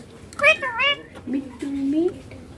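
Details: Indian ringneck parakeet, green, saying "papa" and "mummy": a quick pair of wavering nasal syllables, followed by a low, drawn-out human-like voice rising slightly.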